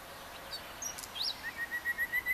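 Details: A common nightingale at Atatürk Arboretum, Istanbul, gives a few thin high chirps, then a fast run of about seven clear whistled notes that swell in loudness, over faint background hiss.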